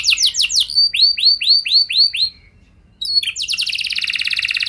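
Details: Prompting song of a canary to get others singing: quick descending notes, then six slow looping whistles, a pause of silence, and a sudden dense, rapid rolling trill.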